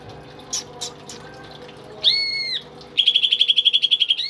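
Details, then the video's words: Tame pet greater green leafbird in full song: a few faint clicks, a long sliding whistle, then a fast run of about fifteen sharp, high repeated notes. "BURUNG CUCAK IJO gacor dan jinak cocok buat masteran burung isian nih!"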